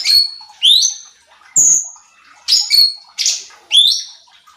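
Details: Cucak cungkok bulbul, a lure recording for training contest birds, gives clear whistled notes, some rising and some falling, spaced roughly every half second to second.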